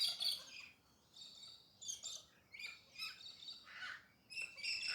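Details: Early-morning galahs in urban Perth, Australia, give a steady series of harsh, grating screeches, one roughly every half second to second, rising and falling in loudness, over a quiet background.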